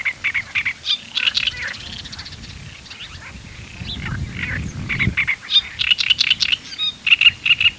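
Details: Great reed warbler, subspecies arundinaceus, in song in the Camargue, France, in May 2018. Loud croaking, rasping notes repeat quickly in jerky phrases with short pauses, and a low murmur rises midway through.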